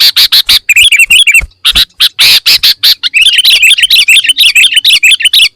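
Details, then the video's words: Sooty-headed bulbul, full isian song: dense bursts of rapid chattering and warbled notes, sharp and bright, packed closely with brief gaps, bubbling on almost without pause across the whole stretch. "Suara Kutilang Full Isian"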